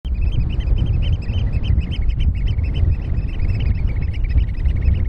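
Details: On mud at RSPB Snettisham, Norfolk, UK, on 8 May 2018 at about 4:07 pm, several Eurasian oystercatchers (Haematopus ostralegus) call at once: shrill piping notes in quick overlapping bursts over a steady low rumble of wind.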